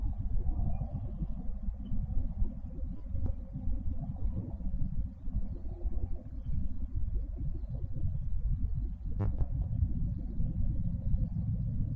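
Steady low rumble of wind and distant traffic fills the recording, with a faint click near the end and no animal calls.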